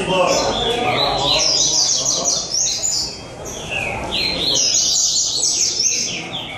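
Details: At a São Vicente singing competition, Rusty-collared seedeaters pour out rapid, high chattering phrases of down-slurred whistles in bursts, several birds overlapping, while people talk in the background.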